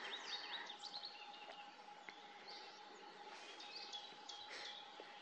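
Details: Long-tailed tits, a pair at work on their nest beside the Siemianówka reservoir; high wavering notes and sharp chirps at the start, then sparser thin calls over background hum.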